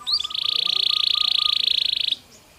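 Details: Belgian canary singing naturally: one short upward note, then a smooth, fast rolling trill held steady for nearly two seconds before stopping cleanly.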